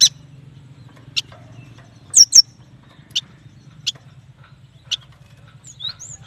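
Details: Sparse yuhina (prenjak batu) singing: single short, high chirps spaced about a second apart, with a quick pair of downward-slurred whistles in the middle and a faint rising whistle near the end over a low hum.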